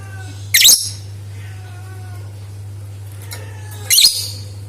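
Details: Lure recording of a lovebird meant to set others singing: two brief, piercing screechy bursts over three seconds apart, separated by faint thin whistles, with a continuous low hum throughout.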